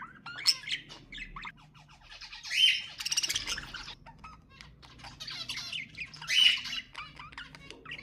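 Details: Budgerigar warbling from pet birds: rapid chattering with harsh squawks, buzzy clicking runs and a few high chirps, loudest in two strong bursts.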